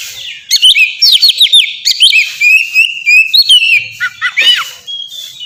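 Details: Kacer, the Oriental magpie-robin, in melodious ngeplong song used as a lure for pet birds: a steady flow of rising and falling whistles, chirps and trills, ending on a thin held note.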